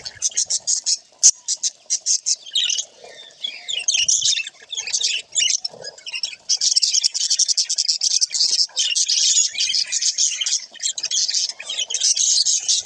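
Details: Several budgies calling while they interact: rapid chattering warble with short chirps and squawks, broken by brief pauses, steady and high-pitched over the whole stretch.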